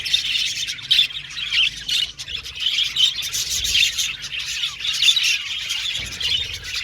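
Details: Several budgerigars chirping, singing and chattering together: a dense, continuous warble of high twittering notes and short squeaky chirps overlapping throughout, swelling and dipping in loudness, with a faint low rumble underneath.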